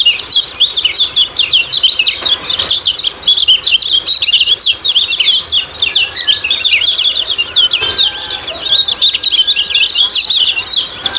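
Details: Long unbroken stream of high, fast chirps and twitters from a kecial kuning in ciak-ciak style, for daily bird training, with faint whistles underneath.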